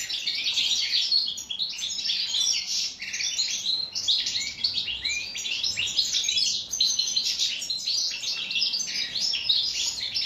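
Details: European goldfinch kept in a cage and given cucumber, singing the authentic wild song style of North Africa. Continuous rapid high twitters, trills and chirps run without a break.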